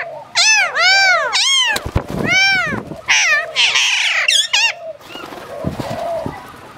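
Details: Speaking hill myna, Phnom Tamao Zoo, Cambodia: a handful of loud, arching, harmonic calls and a raspy burst, followed by quieter rustling and faint softer notes toward the end.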